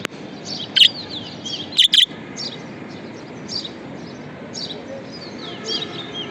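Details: Pet budgerigar giving sharp chirps, one near the start and a quick double chirp soon after, over a steady bed of faint twittering from other birds.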